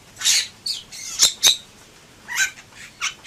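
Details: Bali myna (Leucopsar rothschildi) in full song: scattered loud, harsh squawking notes and two sharp, ringing click-like calls, separated by short pauses, over quiet background.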